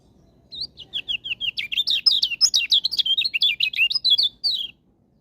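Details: High, bright twittering song of a Lombok white-eye, a steady quick string of short chirps, some rising and some dropping, delivered almost three per second for four seconds before stopping; background is otherwise still.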